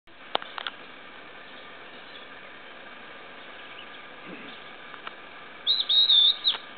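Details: Stripe-backed Antbird in northeastern Brazil gives a brief, loud burst of high, warbling notes near the end, over a steady hiss with a few faint clicks.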